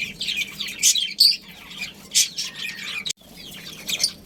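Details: Budgerigars from a breeding pair's family colony: scattered shrill chirps and short whistled notes about once a second, with a brief silent break after three seconds before the chatter resumes.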